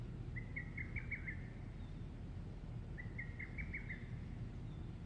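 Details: Lesser cuckoo (hototogisu) singing alone at 19:24 on 16 June in Shikokuchuo, Japan: two quick, emphatic phrases of five or six sharp whistled notes, about three seconds apart, over a steady low rumble.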